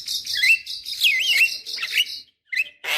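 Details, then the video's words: Black-winged starling song used as a lure to make young birds sing: a dense, buzzy warble with wavering whistled notes winding through it, then a short squawk. "Suara Khas Jalak Kebo Untuk Pancingan Jalak Kebo Obyokan / Pancingan Jalak Kebo Muda Cepat Gacor"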